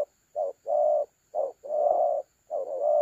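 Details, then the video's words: Close spotted dove in thổ calam style, a trap decoy recorded 30 October 2022: pairs of a short coo then a long sustained low coo, repeated twice and starting again, faint background hum. "Thổ calam .Bẩy cu gáy 582 . Cu gáy phương quý"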